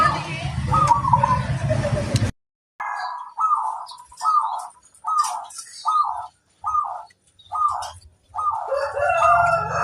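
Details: Song of a local zebra dove, played to draw other doves to answer: clipped rolling coos repeated roughly every second after a brief noisy opening with low hum.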